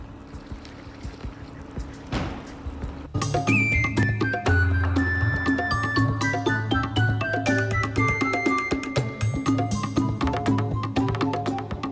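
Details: Rhythmic music with steady percussion and bass, about four beats a second, after a quieter noisy opening; no animal calls stand out.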